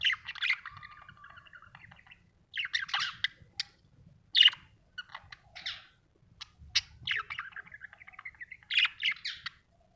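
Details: Happy budgerigar chirping: bursts of scratchy warbling chatter, buzzy trills and sharp squeaks, separated by short pauses, in quiet surroundings.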